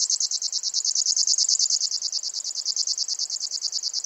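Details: Grasshopper warbler (genus Locustella) giving a steady, high, insect-like reel of rapid pulses, about eleven per second, held without a break for the whole four seconds against a quiet background.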